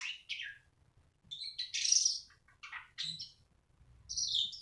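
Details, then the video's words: Black-winged starling, a bird kept in captivity, singing in short separated phrases of harsh chattering notes and whistled slurs, with brief pauses between bursts. "Burung Jalak Suren"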